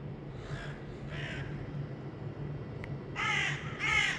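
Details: Crows, apparently reacting to a falconer's hawk flown for pest control at an outdoor factory site, where they try to mob it: harsh, grating caws, two fainter ones early, then two loud, ragged ones close together, over steady low wind or traffic rumble.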